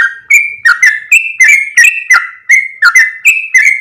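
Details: Yellow-vented bulbul calling as a lure to bring other bulbuls close: steady chain of short liquid whistles, each starting with a crisp click, roughly three notes a second, pitch stepping up and down.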